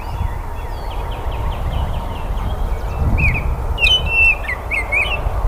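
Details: Baltimore oriole singing: soft whistled notes at first, then louder, clearer whistled phrases with slurred upward and downward notes in the second half, over a steady low rumble of background noise.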